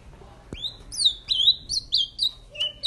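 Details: Ultramarine grosbeak kept in a cage, a male brought out to sing after mating, giving a quick sequence of slurred whistled notes after a sharp click, the phrases sliding down and up, with a faint low hum behind.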